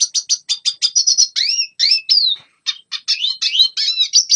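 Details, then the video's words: Red siskin song meant to train young birds: a run of quick high chirps, then looping upslurred whistles and a falling note, a short gap, and more twittering chirps to the end. "Red Siskin Singing Best Song Training - Yellow siskin tập cho chim non hót"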